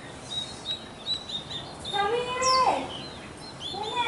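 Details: Myna giving one loud, nasal, harmonic call that rises and then swoops down, after a run of faint, high chirps from other birds over a steady background hiss.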